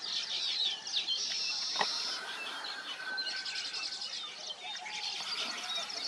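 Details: Weaver birds at their nests mix scratchy chirps with a high, flat buzzing note held for about a second, amid a background of overlapping twitters.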